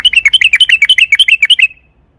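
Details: Yellow-vented bulbul in spirited song, used as a lure so other bulbuls will sing: a quick run of about fifteen bright, bubbling whistled notes that ends abruptly, followed by silence.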